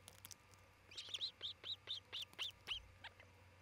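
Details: Osprey calling from a nest in Charlo, Montana, midday on 27 June 2018, one of a breeding pair: a regular series of about eight high whistled chirps, roughly four per second, over low hum.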